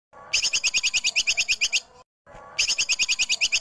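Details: Female cucak kinoi mixed with tupai kekes squirrel as clear masteran training audio for songbirds: two bursts of rapid, sharp high chirps, about eight per second, each burst lasting around 1.5 seconds.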